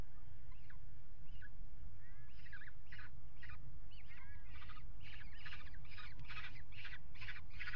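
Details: Peregrine falcons mating on the ledge of a water tower nest box in February: scattered calls building into a fast run of harsh, rasping chatter notes, over steady low background rumble.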